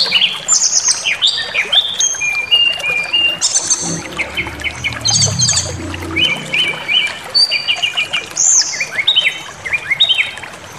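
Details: Brown-chested jungle flycatcher emotional-provocation song: busy chain of short whistled notes jumping between pitches, fast repeated chips, with a brief low rumbling hum partway through.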